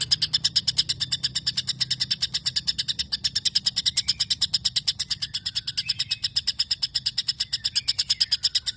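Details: White-rumped shama singing a long imitation of sparrow chatter: a steady stream of sharp, dry chirps repeated about three per second with little pause, over a faint low hum.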